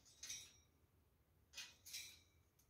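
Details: A pair of rose-ringed parakeets in an aviary give three short, shrill, grating screeches, one, then a pause, then two in quick succession, against a quiet background.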